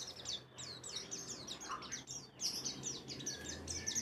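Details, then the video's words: White-eye lure song: a dense, unbroken stream of high, rapid chirps and trills over a loud hiss of background noise. "PANCINGAN PLECI BAHAN JANATAN PASTI BUKPAR,NGALAS,WIKSAR"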